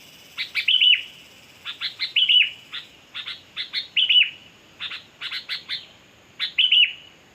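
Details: Sooty-headed bulbul (kutilang) calling busily for luring birds: a rapid run of sharp clicks interleaved with about five quick, bubbling warbled phrases, almost without pause.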